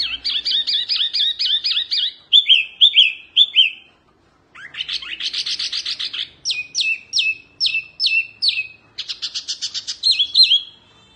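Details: Eleven seconds of vigorous Oriental white-eye song, wambi mini type, recorded for tutoring songbirds: rapid repeated chirp pairs, a short pause, then buzzy rattles, crisp high notes and twittering warbles.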